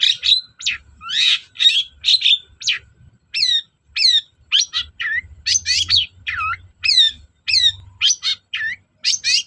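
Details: Long-tailed shrike in energetic song, played to coax shrikes that are slow to sing: a steady stream of sharp, slurred whistles and down-swept chips. Each note is distinct and they follow one another rapidly.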